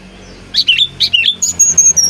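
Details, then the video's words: Brown-chested jungle flycatcher from Bali, singing as a lure for other birds: two quick twisting chirp phrases, then a row of short high whistled notes at an even pitch. "Burung Sikatan Rimba Dada Coklat Bali Gacor Nyuling Untuk Pancingan SRDC"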